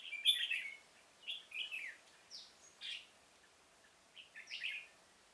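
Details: Red-whiskered bulbul decoy in a pomelo garden luring wild bulbuls for trapping, 25 October 2017; a bright chirpy opening phrase followed by separate slurred, downward-sweeping whistles spaced roughly one second apart.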